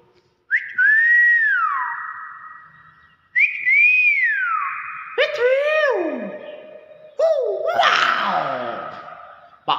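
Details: Common hill myna kept indoors, mimicking human speech and said to say 'bakpao': four bursts, two long whistled tones with a wavering dip, then two harsher speech-like syllable runs with dense harmonics, each burst fading out.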